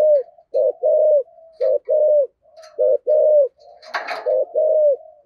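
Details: Spotted dove cooing in the rare 'giọng thổ sấm' voice style with 'thúc gù' cooing: low, hollow coos in short groups, a short note then longer falling ones, with a faint chirp and a sharp click partway through.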